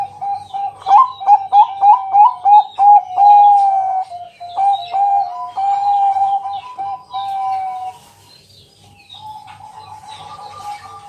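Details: Zebra dove of the Bangkok type giving a night lure song to prompt other doves to sing: fast stuttering coo notes merging into longer drawn-out coos, with faint chirps of other birds and low background hum.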